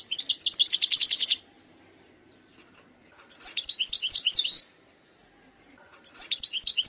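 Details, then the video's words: Three bouts of fast, bright twittering from a wild European goldfinch, each a rush of high repeated chips. One ends in a smooth drawn-out note. "chant chardonneret sauvage khalwi حسون goldfinch jilguero تغريد مقنين خلوي"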